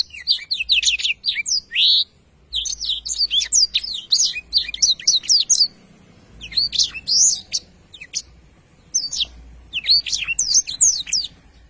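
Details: Energetic Blackthroat singing in long rolling phrases, repeated bursts of shrill, rapid, up-and-down whistled notes and twitters over about twelve seconds with short pauses between.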